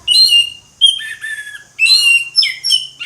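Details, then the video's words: Orange-headed thrush in ngeplong song, delivering dense, loud phrases of clear whistles mixed with buzzy, descending slurs, in three closely spaced bursts separated by brief pauses. "ANIS MERAH NGEPLONG, SUARA ANIS MERAH NGEPLONG"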